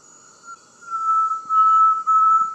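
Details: Inhambu-serra tinamou gives one long, pure, steady whistle at a middle pitch, held for almost two seconds, with a thin high hiss underneath.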